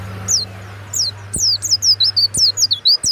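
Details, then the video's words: Captive warbling white-eye, kept for its strong, ringing song: a couple of isolated high falling notes, then a fast chain of bright, wavering whistles, with soft taps and a low hum in the background. "SUARA PLECI YANG MANTAP"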